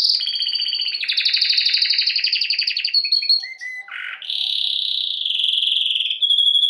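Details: Canary singing as a training bird: long high rolling trills held for seconds, with a brief drop to lower rough notes and then a return to steady high trills.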